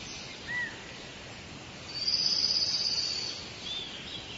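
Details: In a forest, a short clear whistle is followed by a rapid high trill lasting about a second, with fainter chirps after it over steady ambient hiss.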